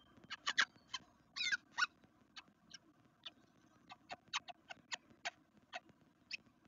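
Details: Black redstarts at a nest in a garden in Veszprém, Hungary, on day two: a run of short, sharp squeaky chirps, several in quick clusters and others spaced singly, continuing throughout over a faint low background hum.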